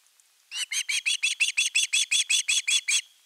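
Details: Osprey chick begging for fish at a Finnish nest, August 2021: after brief quiet, a run of about fourteen loud, shrill, rasping whistled notes at an even quick pace, then stopping.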